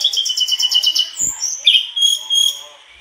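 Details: Mangrove blue flycatcher singing hard with its learned filler material: a fast pulsing trill over a level whistled tone, a brief break, then a long steady whistle with faint rapid notes above.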